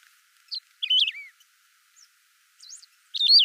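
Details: Saffron finch song with original sound and no effects: a soft chip, a strong falling slurred phrase, then faint high notes and another loud descending phrase.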